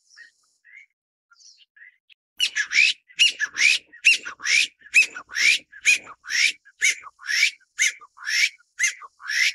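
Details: Taiwan bamboo partridge while feeding a chick: a few faint chirps, then loud, harsh, rising notes repeated about twice a second in a steady, insistent series.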